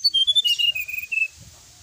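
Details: Sooty-headed bulbul on a night-time tutor track: a short, fast trill of clear whistled notes that steps downward and then levels off, lasting just over a second, with a faint low rumble behind.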